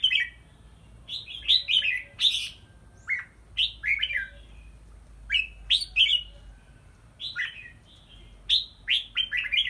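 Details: Caged red-whiskered bulbul during strength training in a small hanging bamboo cage: bright whistled phrases of quick rising and falling notes, delivered in bursts with short pauses, some rapid chattering notes between.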